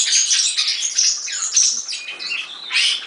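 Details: Short passage of European serin song: high wheezy, tinkling phrases with a few sliding notes, ending in a bright burst of jingling.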